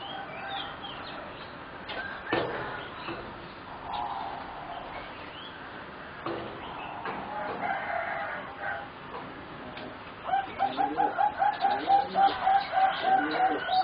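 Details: Young zebra doves, four birds about 3.5 to 4 months old, from a line bred as singing doves for competition. At first mixed bird chatter and clucking. Then a rapid, even run of short cooing notes repeated several times a second to the end.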